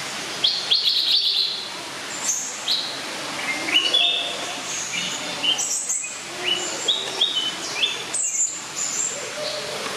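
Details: Blue-crowned hanging parrots (Loriculus galgulus) at Schönbrunn Zoo, Vienna, give thin, high squeaky chirps, short and overlapping, several every second, as from more than one bird calling together.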